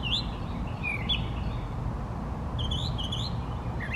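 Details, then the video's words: Male brown thrasher in song among trees, giving a few separated whistled and slurred phrases with rising and falling notes and short pauses, against constant low-pitched background noise. "Brown Thrasher singing beautifully."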